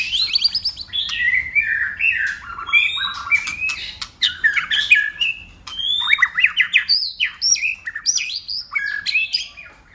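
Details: White-rumped shama singing a long contest bout, tail-flicking and changing voices: dense tumbling whistles, chattering trills and sharp clicks in quick succession, rising and falling throughout.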